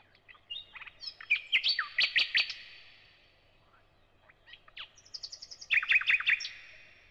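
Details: Song of the thrush nightingale, alternating repeated whistles and clicks: a clicking, whistled phrase ending in four loud repeated notes, a silent gap, then a high trill and another burst of repeated notes.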